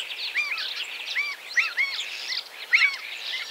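Common Starling song: a busy jumble of high whistles, clicks and slurred chirps, some phrases rising and falling, tumbling quickly one after another.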